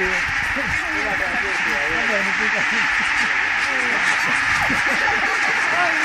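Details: About 17000 Barnacle Geese lift off together at Konnunsuo, Joutseno, Finland, as a peregrine attacks, 2012. Dense overlapping barking yaps, roughly two or three per second, form a continuous clamour over a steady roar.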